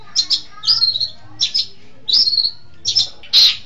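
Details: Long-tailed shrike tutor recording: paired scratchy notes alternate with drawn-out falling whistles, then a loud harsh burst at the end; a faint low hum runs beneath.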